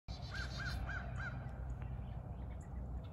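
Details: Crows, one of three that visit every morning after rain and call for breakfast, give four evenly spaced arched caws in quick succession over a steady low rumble of background noise.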